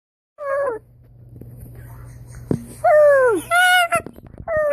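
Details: Pet blue-and-gold macaw playing a copying game with its owner indoors: drawn-out tonal, harmonic calls falling in pitch, given in several bursts with a steady low hum behind them.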